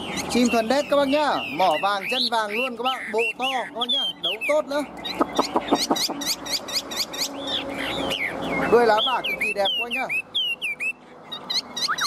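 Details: Tamed, large-bodied caged Chinese hwamei singing a rich, varied song of looping whistles and fast repeated slurred phrases, with brief rapid pulsed notes in the middle.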